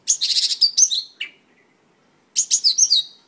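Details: Mongolian lark song in high, rapid phrases: a fast, buzzy rattle runs into slurred whistled notes. After a short drop and a long silence, another quick string of bright chirps and a sliding whistle follows.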